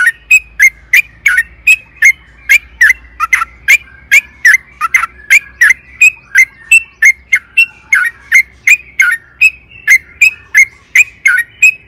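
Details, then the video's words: Prolonged rolling yellow-vented bulbul song used to coax caged birds into singing: steady train of short whistled, slightly buzzy notes repeated about three per second without pause for nearly twelve seconds. "PANCINGAN TRUCUKAN AGAR BUNYI"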